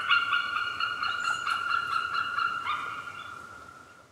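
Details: White-tailed eagle giving a fast series of shrill, yelping notes, strongly harmonic and repeated more than twice a second, fading toward the end.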